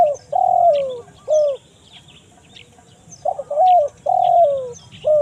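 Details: Spotted dove lure recording, 'kuk 1 mersik' style, for drawing in wild birds in forest: phrases of a steady coo, a long sliding coo and a brief final coo, repeated after a pause, over light distant chirping.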